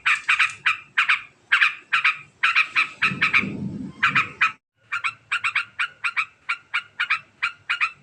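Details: Sooty-headed bulbul pouring out rapid ngekek chatter, a stream of harsh clipped notes in quick succession, briefly overlaid by a low rumble before a short pause and more fast notes.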